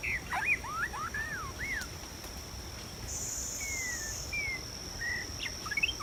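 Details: Wild white-rumped shama heard during trapping, giving sparse clear whistled notes, some curving down, some slurred upward, spaced by pauses, with a constant high-pitched insect whine behind.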